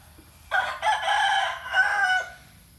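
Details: Rooster crowing once: a loud, harsh, rich-toned cock-a-doodle-doo about one and a half seconds long, starting abruptly, holding steady, then rising briefly and dropping off at the end, with a steady high electronic whine behind.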